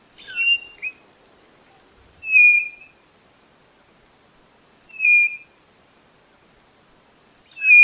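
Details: Whistled song of a white-bellied nothura: short, clean, steady-pitched notes repeated roughly every two and a half seconds, the first note slightly broken, and nothing else audible.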